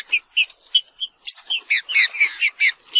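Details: Green-winged saltator (trinca-ferro) sounding a steady series of short, bright whistled notes spaced about a quarter second apart, becoming faster and more slurred toward the end. Quiet background.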